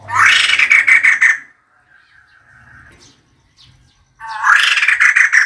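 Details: Decoy-call recording of a female White-crested Laughingthrush: two loud, raspy pulsed bursts, one opening and one closing, separated by quieter faint notes and a thin sustained tone.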